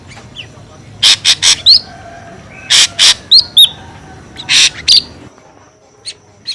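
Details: Harsh, broad scolding bursts from an ashy drongo, used as a noisy lure call, interleaved with brief high whistled slurs in clusters, then fading to a few faint notes.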